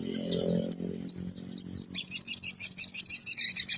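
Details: Spiderhunter singing energetically in the morning, used to lure small birds: a few spaced high chirps that speed into a rapid, even string of sharp notes, about four per second.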